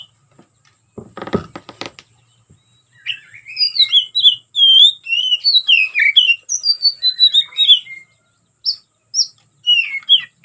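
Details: Oriental magpie-robin fighting song used to provoke rivals, opening with a few clattering knocks, then loud varied whistles, rising and falling slurs and chatters, ending in sparse sharp notes.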